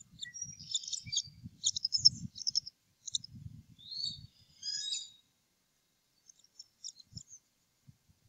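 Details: Eagles at a nest on the Upper Mississippi River Refuge in early April. Two adult males eat leftovers after the eaglets have been fed. Thin, high chirps and chittering come in bursts over about five seconds, with low rustling and thumps beneath.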